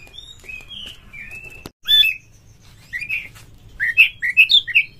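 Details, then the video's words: Indonesian kacer (Oriental magpie-robin) singing a provoking lure song: soft slurred whistles, a loud click, then a rising series of five or six clear whistled notes, each bright and slightly warbled. "PANCINGAN KACER TOP untuk DONGKRAK EMOSI Bongkar Materi Tarung Ngotot Gacor Buka Ekor bikin NGEPLONG"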